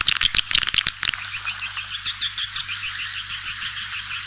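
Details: Swiftlet calls: a burst of sharp broadband clicks, then a fast train of short buzzy chirps repeated about three times a second, high-pitched and even.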